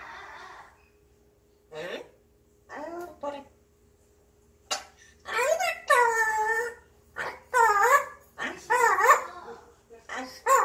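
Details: Indoor pet grey parrot in a happy mood, murmuring and humming to itself; soft clipped notes at first, then a run of louder, bending, voice-like syllables in quick succession over a steady low room hum.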